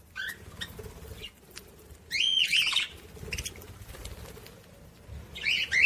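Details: Budgerigar chatter intended to stimulate other budgies: soft, short chirps at first, then a loud burst of buzzy, squeaky warbling and another near the end.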